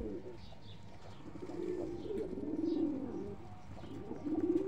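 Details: Purebred Iranian Tehran high-flyer pigeon from Iran cooing softly. Low, rolling coos rise and fall, with a louder burst near the end over a quiet background.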